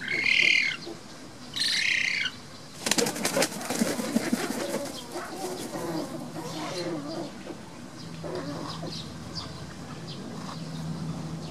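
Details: Black-faced spoonbill chicks being reared at Tama Zoo, Japan, on 22 June 2017 give two high, wheezy, harsh calls. Then comes a loud burst of wing flapping and rustling, followed by soft, low murmuring calls.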